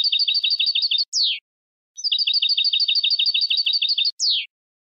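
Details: Goldfinch contest-training song: long runs of fast, evenly repeated twittering notes, each run ending in a drawn-out descending slur, with a short pause between.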